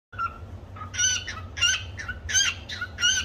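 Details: Pet cockatiel singing a learned tune called the Cookie Song: a soft whistled note, then a string of bright, harmonic chirped syllables repeated in quick rhythm over a low background hum.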